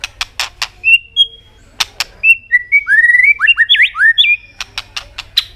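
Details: A white-rumped shama's energetic song, used to provoke other birds into singing. Loud sharp clicks open and close it. In between come brief whistles, then a rapid, varied stream of slurred rising and falling whistled notes.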